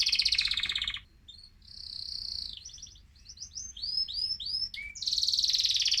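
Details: Excited male mosaic canary song meant to stimulate other birds: a rapid trill, a pause, then a series of rising whistled slurs and short bubbling notes, ending in a fast loud trill.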